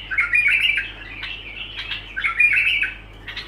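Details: Continuous bulbul song, harsh warbled phrases with bright whistled notes, delivered in two quick bursts over a constant low background hum.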